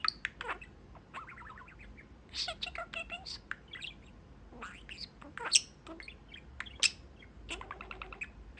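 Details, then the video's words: Pet budgie chatting from the little window of its cage to its owners; dense warbling chatter with fast clicks, squeaks and sharp high chirps, in bursts across the clip. "Talking Parakeet"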